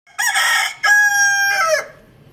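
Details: Rooster crowing loudly: one full cock-a-doodle-doo in three parts, a rough opening note, then a long sustained clear middle and a falling end.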